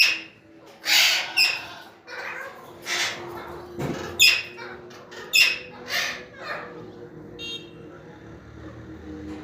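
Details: A flock of Alexandrine parakeets gathered together makes a busy run of rough, grating squawks, several overlapping bursts in quick succession, fading to softer chatter near the end.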